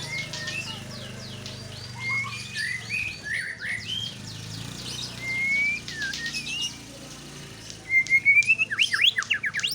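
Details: White-rumped shama singing a loose series of clear whistled notes, some rising and some falling, separated by short pauses, ending in a louder burst of quick rising phrases.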